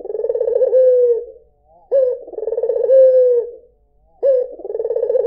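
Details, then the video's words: White Barbary dove calling in a steady series: each coo starts with a quick upward note, rolls in a pulsing vibrato and ends in a long, even, falling hum, with short silences between. "SUARA PUTER PUTIH"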